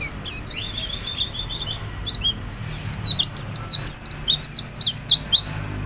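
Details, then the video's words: Energetic white-eye, a kept bird, in full song used as a lure to set other birds singing: dense, very high twittering of quick chirps and trills, building in loudness and pace toward the end, over a faint low hum. "Pleci Gacor untuk buat Pancingan Bahan"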